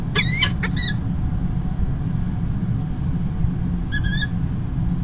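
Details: Male peregrine falcon bringing an early breakfast at Kingston College, UK, on 1 March 2021: a few short harsh harmonic calls at the start and again near the end, over a steady low rumble.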